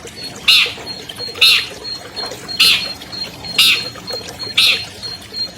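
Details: An albino long-tailed shrike, a 2020 contest champion, in a lure recording for non-singing shrikes: five harsh grating squawks, one about every second, over a faint steady high tone.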